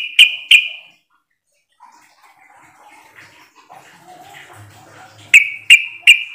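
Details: Sooty-headed bulbul calling to lure others into answering. Two loud, clipped notes with a short ringing tail open the recording, then faint indoor background noise, then three more sharp notes in quick succession.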